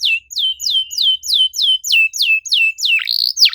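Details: Canary song meant to trigger silent birds: evenly repeated descending whistled notes about three per second, ending with two sharp swooping notes.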